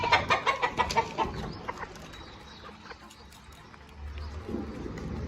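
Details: Farm chickens cluck in a quick run of about six sharp notes at the start, then the sound fades to quiet background noise with a low rumble near the end.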